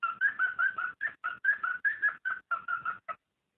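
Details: Mating call of a cockatiel, used to prompt breeding: a rapid chain of short, clear whistled notes, some rising or falling slightly, ending after about three seconds.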